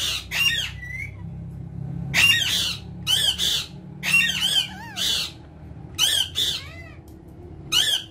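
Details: Three pet talking rose-ringed parakeets indoors chatter in short, harsh, squawky bursts about every second, some with rising and falling tones, over a low indoor hum.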